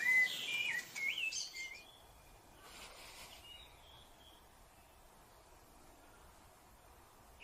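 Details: Rufous-bellied thrush, Brazil: a short burst of warbled whistled phrases in the first two seconds, then a long stretch of quiet background with only a faint noisy rustle and distant chirps.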